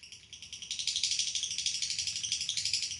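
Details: Lovebird in a long ngekek trill, a continuous high rattling chatter of quick even pulses, starting softer and growing louder and steady, with faint low room hum beneath.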